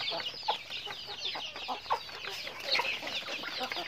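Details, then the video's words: Many chickens during daily activity, giving overlapping shrill peeps and quick chirps, with a few louder, lower clucks standing out roughly every one to two seconds. "Natural Sounds of Chickens"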